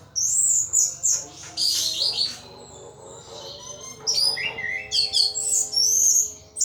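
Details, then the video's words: Caged anis thrush pouring out ngeplong song: varied high whistles, chirps and falling slurs in dense phrases, a brief lull, then another energetic run of bright notes. "Burung Anis "Ronggeng" Ngeplong Mabok berat"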